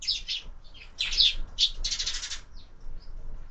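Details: Sparrows at a window feeder during breakfast: loud, harsh chirps in close bursts over the first two and a half seconds, then a few softer notes.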